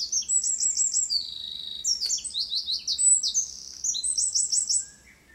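A Eurasian wren pours out a loud, high-pitched song of fast trills and sharp twittering notes, running almost unbroken for five seconds before stopping.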